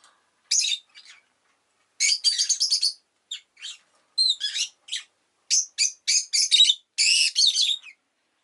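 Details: Rosy-faced lovebird chattering steadily, with rapid strings of sharp, high, rasping chirps packed closely over several seconds and only brief pauses.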